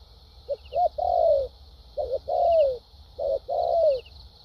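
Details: Vietnamese decoy spotted dove in a cage, cooing lèo dặm style: two quick soft notes followed by a long descending coo, repeated three times, with faint high ticking sounds.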